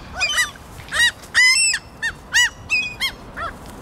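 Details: Several excited common gulls, just given food, call over one another in shrill, arched mewing notes, about two or three a second, in rising and falling bursts, with a few Lesser Black-backed and Black-headed Gulls present; Helsinki, Finland, June 2013.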